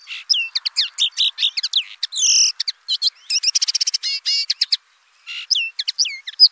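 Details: Dense, fast common linnet song that mixes sharp ticks, buzzy warbles and a rapid trill, with a short gap before a final run of twittering chirps.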